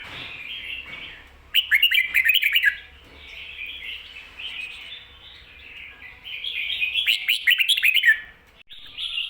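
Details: Caged red-whiskered bulbul song in the doubled 'ko-ta-ra' style, recorded as a teaching song for other bulbuls. Liquid warbling phrases run almost continuously, broken by two loud bursts of quick clipped notes, with a brief dip before the last phrase.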